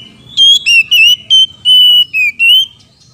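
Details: Male and female Oriental magpie-robins answering each other, caged birds: seven loud whistled notes in quick succession, some level, some dipping or sweeping upward, with a soft low rumble behind.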